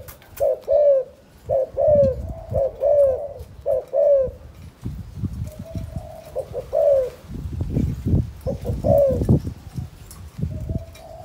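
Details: Calling coo of a spotted dove, Cần Thơ, Vietnam, in the chụp chụp ô style: paired soft, hollow coos repeated roughly every second, over a steady low rumbling background.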